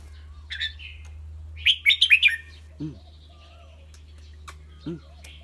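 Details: ;Caged red-whiskered bulbul with a clear voice. After a brief whistled note comes a quick burst of four bright, warbling notes. Two low, short hum-like sounds follow, with steady low hum underneath.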